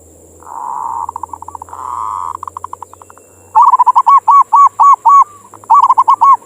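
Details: Zebra dove (local perkutut) used for morning therapy and bait singing: two soft purring rolls, then a long loud run of arched, bubbling coos repeated rapidly, with a low hum and a high steady whine underneath.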